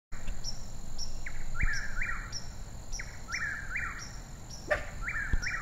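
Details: Birds chirping: repeated short, bright, descending chirps about once a second, with fainter high thin notes in between, over a steady high whine and constant low rumbling background noise.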